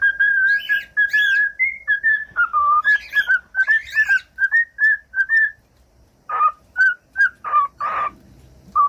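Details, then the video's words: Pet cockatiel singing as a model for training: rapid series of short whistled notes with scratchy chirps mixed in, a brief pause, then scattered whistles and harsh squeaks. "CANTOS DE CALOPSITA"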